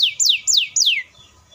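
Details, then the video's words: A canary gives a fast, tight, long-roll song: three quick, high, descending swept notes in about a second, bright and whistled, then a faint trailing tone. "KENARI GACOR ROLL PANJANG SPEED RAPAT"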